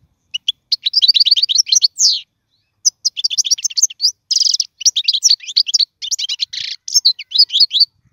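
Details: Tutor song of a European goldfinch for young birds: continuous liquid twittering with harsh buzzy bursts and quick rattled trills, nearly unbroken apart from one short pause early on.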